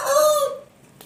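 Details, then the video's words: Aseel rooster crowing: a loud, harsh, drawn-out note that holds steady and then fades away within about half a second, followed by quiet background. "Aseel Roosters Crowing"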